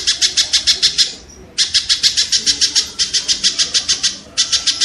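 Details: Kingfisher, recorded as training audio for caged songbirds to copy, gives loud harsh buzzy notes in rapid series, about three per second, in three bursts separated by short pauses; faint low background noise.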